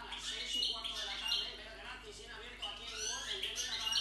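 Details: A hybrid of white-throated and white-collared goldfinch sings a fast, unbroken stream of bright twitters and tinkling trills, high and bubbling, with slurred notes running together throughout.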